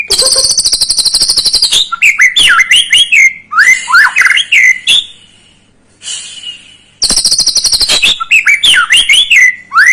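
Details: Shama provoking song for rousing a young bird: a long buzzy rattling trill, then rich looping whistles in quick succession, a brief high hiss, another harsh trill and more swooping whistled phrases.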